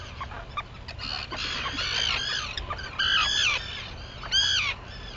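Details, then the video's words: Arctic tern colony on Seal Island, Maine, at sunrise on 11 June 2018: harsh, grating calls overlap in a busy chorus, with a few louder rasping cries standing out above the steady din. "Arctic Terns"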